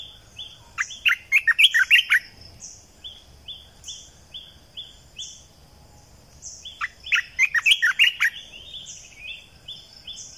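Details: Decoy recording of a red-eyed bulbul from 2020, used for luring birds: two bright, chattering phrases of quick warbled notes, separated by several seconds of a soft, regularly repeated rising whistle in the background.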